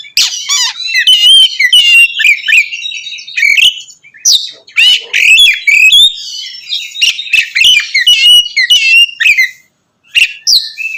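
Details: Loud continuous singing of an Oriental magpie-robin meant to provoke other magpie-robins; busy stream of harsh chirps, slurred whistles and squeaky notes with few breaks, one brief silence near the end.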